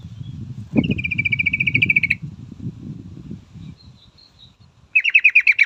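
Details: Female yellow-vented bulbul calling to a male, giving a quick rattling chatter of evenly pulsed notes for over a second, a few faint high notes, then another rapid pulsed burst, with low rumbling background noise beneath.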